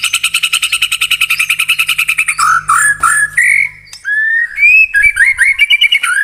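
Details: White-rumped shama song as a lure for a pet bird: a rapid repeated trill gives way to varied whistled phrases, some rising, some slurred, with short pauses between.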